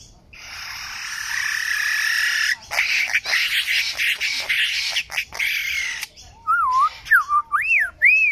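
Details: Lyrebird singing: a long, harsh buzzy stretch, then broken chattering notes, ending in loud pure whistles that swoop up and down in wavy loops.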